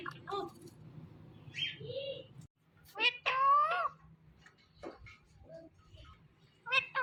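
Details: Pet ring-necked parrot talking indoors: after soft mixed sounds, a loud warbling, wavering harmonic utterance of about one second, followed by scattered short chatter and clicks, with a faint low hum throughout.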